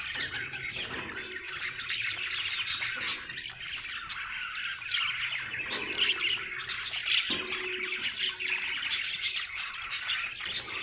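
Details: Happy budgerigar chirps on and on, a fast trilling warble broken by harsh clicks and squeaky notes, with a few short lower tones mixed in.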